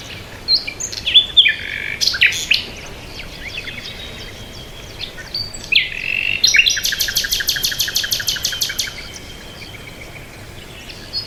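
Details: High chirps and slurred whistles give way to a long, rapid, evenly spaced trill of sharp notes lasting over two seconds, then quieter scattered chirps as the birdsong fades.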